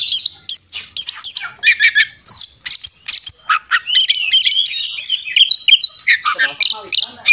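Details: Kacer, the Oriental magpie-robin, singing hard in fighting mode, ngobra style with full isian content: quick staccato chips and shrill twitters alternating with short whistled slides, ending in a harsh scratchy run.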